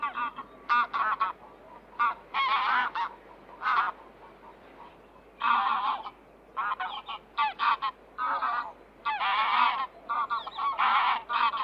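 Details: Goose calls: loud nasal honks in bursts and short series separated by brief pauses, several birds overlapping at times, harsh and harmonic-rich, with a faint low hum underneath.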